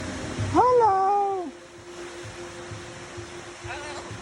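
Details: A macaw at a zoo talks, saying one word in a strained, speech-like voice that rises, then holds and falls away. A fainter second utterance follows, over steady rushing background noise.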